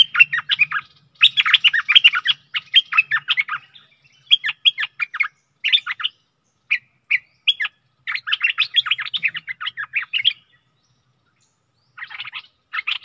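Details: Stripe-throated bulbul song played to lure aggressive wild birds: long bouts of rapid, chattering, bubbly notes with short pauses between them and a longer pause near the end, over faint low background hum.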